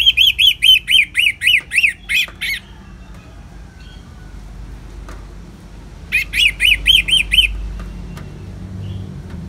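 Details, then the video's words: An Orange-headed thrush sings ngeplong with rain in the background: a steady series of about a dozen looping whistled notes, a quiet gap, then five more similar notes, low murmuring noise underneath. "Terapi ANIS MERAH Ngeplong dan Suara Hujan ALAMI"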